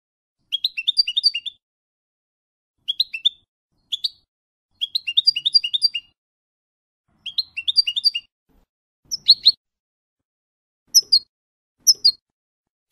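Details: Goldfinch song in the F.O.C.S.E. style, used to teach young birds: clusters of rapid high tinkling notes in bursts every couple of seconds, ending with sharper, sparser single chirps. No other sounds.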